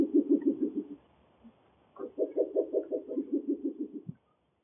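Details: A breeding pair of Spectacled Owls duetting at Area de Conservación Guanacaste, Costa Rica: low, rapid knocking hoots in a quick tumbling series of about a dozen pulses, a pause, then a longer answering run.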